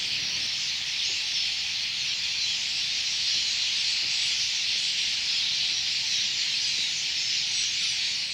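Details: A huge flock of Red-billed Queleas in bush beside a campsite at Khwai, Okavango Delta, Botswana, makes a steady, dense wall of high, hissing chatter, unbroken throughout, with no individual calls standing out.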